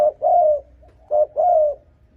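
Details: A spotted dove, recorded as a call to stir up and lure doves, gives low, hollow coos in two pairs, a short note followed by a longer slurred one, about a second apart.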